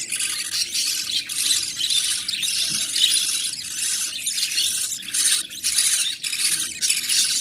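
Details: Budgerigar (Melopsittacus undulatus) chicks in the nest give begging calls while a parent feeds them: harsh, raspy squawks in rapid, pulsing bursts.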